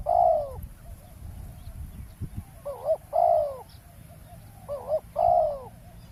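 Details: Trapping a wild spotted dove with a decoy on the ground by a road: a long coo, a pause with soft taps, then two sets of trilled note plus drawn-out hollow hoot.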